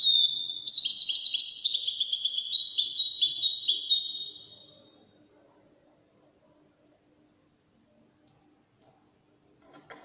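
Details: Singing European goldfinch, known as wedani: about four seconds of fast, liquid twittering and trilled high notes, then near silence with a faint click at the end.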